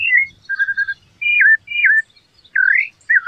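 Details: Rufous-bellied thrush singing: clear whistled phrases, some falling and some swooping upward, separated by short pauses, with a faint low rumble underneath.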